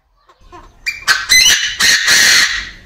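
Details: Captive male Chinese francolin crowing in an aviary: faint introductory clucks lead into a loud, harsh run of four scratchy syllables, the final one prolonged and rasping.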